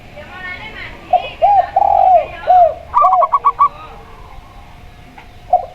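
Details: A local perkutut, or zebra dove, set against a tekukur: a single fast burst of bubbly staccato notes follows several deeper arched coos from the tekukur, then soft faint cooing trails off.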